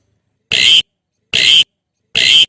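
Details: Javan pied starling calling its mate, used as a lure to make other starlings sing: three harsh, rasping bursts, each about a third of a second long, spaced roughly evenly, with silence between them.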